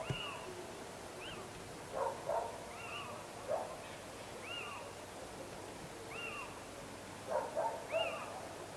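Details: Little owl calling: a series of plaintive, mewing notes, each rising then falling, repeated roughly every second, with softer lower notes between them against a constant hiss.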